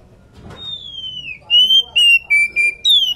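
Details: Oriental magpie-robin female, in breeding condition, calls to her companion with a drawn-out descending whistle followed by a rapid string of bright, pure whistled notes, the last one higher and falling; soft low rumble underneath.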